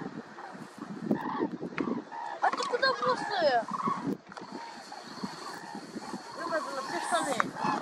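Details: Flock of common cranes (Grus grus) calling in flight at sunset, 29 September 2021, over Hrodzenskaya Svislach nature reserve, western Belarus: many overlapping rolling, trumpeting notes over steady background rumble.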